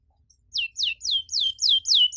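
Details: Canary repeating clear high whistled notes that sweep sharply downward, about four per second, after a brief quiet start; part of a richly ornamented song for training young canaries.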